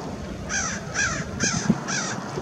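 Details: Four shrill, slightly down-slurred whistles spaced about half a second apart from American oystercatchers at Fort Monroe, Virginia, on March 15, 2019, with a low wash of waves underneath.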